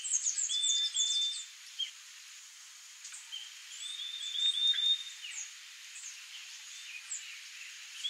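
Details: Female blue dacnis giving thin, very high-pitched notes: short sharp chips and a couple of drawn-out, level whistles, over a steady high hiss of insects.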